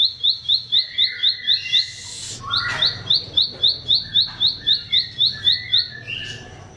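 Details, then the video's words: Bar-winged prinia song meant for teaching kept songbirds: rhythmic high chirps repeated quickly, broken once by a brief harsh burst, then resuming with scattered lower notes. "SUara CIBLEK SAWAH, SI kecil buat Masteran Semua Jenis Burung"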